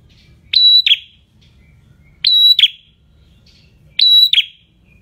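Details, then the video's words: Prinia with a clear, semi-active ngalun song used to tutor caged birds: three evenly spaced phrases of a sustained high whistle then a brief falling note, repeated about every two seconds against a low background hum. "MASTERAN Prenjak Semi Gacor Suara Ngalun"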